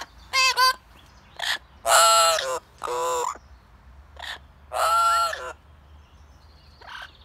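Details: Pet blue-fronted amazon parrot singing outdoors: a run of loud, rich, harmonic squawks and nasal drawn notes, some wavering, others clipped, in irregular bursts with short pauses between them.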